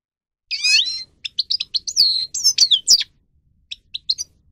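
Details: Grey-crowned goldfinch (Carduelis caniceps) song: a buzzy slurred opening note followed by a string of quick twittering chirps and sliding whistles, ending in scattered short notes.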